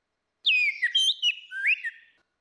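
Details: Lure recording of female and male orange-headed thrush singing ngeplong: one short, loud, rich phrase of sliding whistles that rise and fall, ending in a dipping note, against silence.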